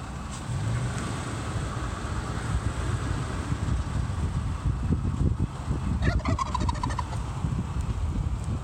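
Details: A wild turkey in Michigan, showing off, gives a single quick, rattling gobble late in the recording. A steady low rumble, like wind or a distant engine, runs throughout.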